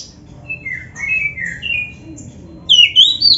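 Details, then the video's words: Oriental magpie-robin master song for training caged birds: soft, descending warbles at first, then a loud run of clear, sliding whistles at the end over a faint low hum. "MASTERAN KACER GACOR FULL ISIAN JOS"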